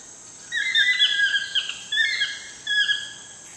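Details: Sunset toucan calls from Costa Rica: three drawn-out, nasal yelps with bending pitch, each lasting about half a second, set against a continuous high insect whine.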